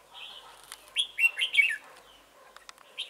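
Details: Red-whiskered bulbul serving as a trapping decoy at Chùa Hương, 28 November 2017: a run of four loud, slurred descending whistles, then a few faint clicks and a final chirp.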